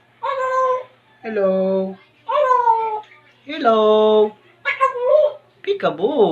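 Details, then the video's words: Pet African grey parrot talking indoors, imitating on request with a string of six clipped, harmonic, voice-like syllables roughly once a second, mimicking the words water and hello, ending in a wavering squeal, over a faint low hum. "talking parrot | African grey parrot"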